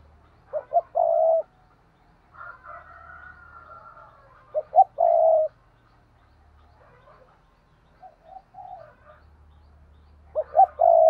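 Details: Two spotted doves cooing together, three loud phrases of clipped notes ending in long mellow coos, alternating with a fainter, higher second voice and soft chirps.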